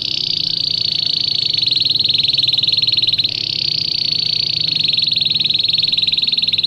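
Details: Belgian canary singing a recording meant for training young canaries: one sustained, high, rapidly pulsed trill that runs almost unbroken for several seconds, with a short catch in the middle.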